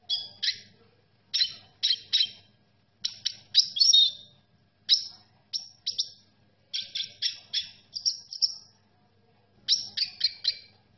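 A red siskin sings bright, high twittering phrases, each a quick burst of buzzy, chattering notes.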